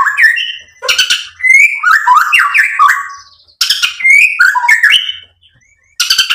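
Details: White-rumped shama song played to provoke other birds to sing: repeated bursts of buzzy rattles and bright whistled slurs, with short pauses between phrases.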